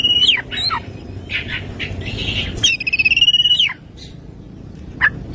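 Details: Oriental magpie-robin singing in the morning, a song full of 'tembakan kristal' fills: sharp, high whistled notes sweeping up and down, then a long buzzy pulsed rattle held at one pitch, ending with a short clipped note over faint low hum.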